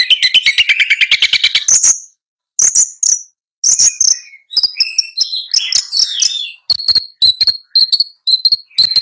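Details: Long-tailed shrike: a rapid stuttering trill opens the sequence, followed after a pause by a medley of thin whistles, short buzzy notes and sharp repeated chips.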